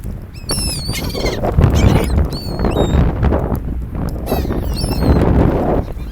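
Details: Seagulls on a sandy shore near people, calling loudly in fast runs of rising and falling squeals, with heavy surf and wind noise throughout.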